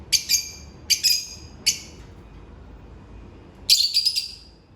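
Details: African lovebirds in their daily routine: three sharp, shrill chirps spaced about a second apart, then a pause and a rapid cluster of harsh, squeaky notes, over faint background hiss.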